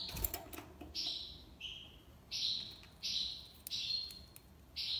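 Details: European goldfinch from Algiers, Algeria, singing the tiwawati style: drawn-out bright buzzy notes, each held about half a second, repeated at an uneven pace with some lower tones between. Faint background hum.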